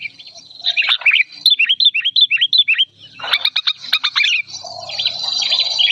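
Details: Agitated old sooty-headed bulbul singing loud, clear: a fast run of down-slurred whistled notes about three per second, then a burst of sharp clicking notes, ending in a steady high buzzing background.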